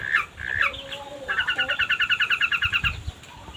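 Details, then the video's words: Long-tailed shrike singing, kept by songbird hobbyists, used as a lure recording to prompt other shrikes to sing: a few varied chirps, then a fast run of about fifteen evenly repeated twangy notes, with low background rumble. "Pancingan Cendet Gacor"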